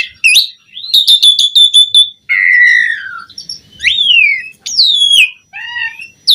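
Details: Asian pied starling in lively, abundant song used as master audio to train starlings: a buzzy rising note, a rapid run of sharp repeated chips, then slurred descending whistles and clear tonal phrases, with brief pauses between bursts.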